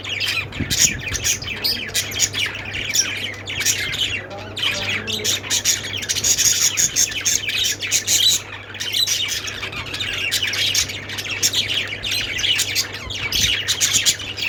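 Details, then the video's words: Parakeet chirping from budgies, lovebirds also named: an extended dense chatter of high chirps, squeaks and squawks, rising and falling in intensity, with a low background hum. "budgies sounds"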